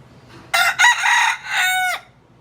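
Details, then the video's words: A rooster standing on a roof crows once: a harsh, broken cock-a-doodle-doo of about one and a half seconds that rises and then ends in a long sustained note, against an otherwise quiet background. "Rooster stands proudly on roof making noise"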